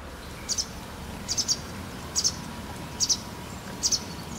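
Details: White wagtail calling shortly before dusk on 12 April 2017: high, sharp two-note chirps repeated about every 0.85 seconds, five call pairs in a row over a quiet low background hum.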